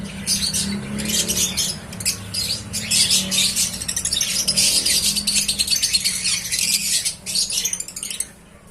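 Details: Recently hatched cockatiel chicks producing a nearly continuous stream of dry, scratchy, hissy calls in rapid pulses, fading out in the last second, with a constant low hum underneath.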